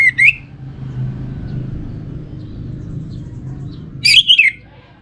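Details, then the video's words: Orange-headed thrush song from a kept bird in North Bali, Singaraja: a short bright whistled phrase at the start, a second burst of rapid clear whistled notes near the end, low background rumble between. "Spektakuler Kicauan Burung ANIS MERAH Pancingan Bikin Teler"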